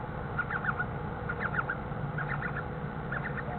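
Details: Owlets still in the egg in a nest box, one about to hatch, give faint, thin, wavering peeps in short bursts about once a second over a steady low rumble, after the male owl arrives with food and leaves.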